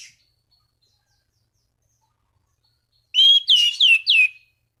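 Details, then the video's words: Orange-banded thrush calling rivals: after a near-silent start, a single burst of four loud descending slurred whistles in quick succession, with buzzy overtones. "Anis Cendana Gacor MEMANGGIL LAWAN Pancingan burung anis lain agar berkicau"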